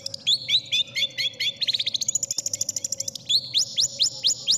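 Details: Cendet (long-tailed shrike) masteran song of the kind contest judges seek: falling slurred whistles, then a fast buzzy series of clipped notes and a row of sharp downward-slurred calls, with a constant low hum beneath.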